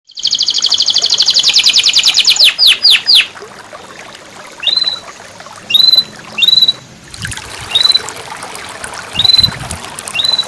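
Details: Canary song, offered as therapy for canaries that have stopped singing: opens with a dense, buzzy high trill lasting about three seconds, then a few sweeping notes and sparse short upslurred whistles separated by pauses.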